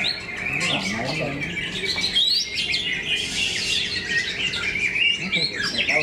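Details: Greater green leafbird song at a singing competition at KDP BC Arena, Cikeas, with several birds singing at once: dense, overlapping bright chirps and rapid twittering phrases, high and continuous throughout, with little background besides the birds.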